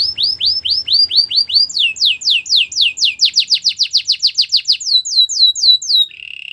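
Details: Training song of a canary: evenly spaced falling whistles, then a faster run of sharp downslurred notes that speeds up and slows again, ending on a low buzzy roll.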